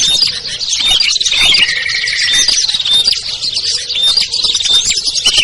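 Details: Small-bird lure mix including ciblek, kutilang, trucuk, sogon and perenjak, meant to lure birds down; sharp repeated chirps and short whistles over a lower steady whistle, all busy and overlapping.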